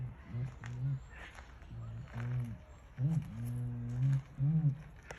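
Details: Southern helmeted curassow held at Lotherton Wildlife World on 23 July 2021, uttering a series of very low humming booms, short ones at first, then a longer sustained drone followed by further brief hums.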